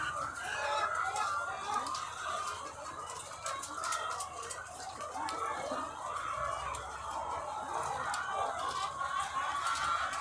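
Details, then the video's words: Thousands of egg-laying hens on a farm form a softer, steady, murmuring chorus of clucks and calls, dotted with faint clicking taps. "The Sound of Thousands of Egg-Laying Chickens"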